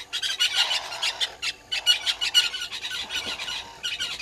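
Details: Southern red-billed hornbills calling at a waterhole on Djuma Game Reserve, Sabi Sand, South Africa, in the morning: fast, rhythmic squawking clucks, loud and nearly continuous, pulsing in quick beats.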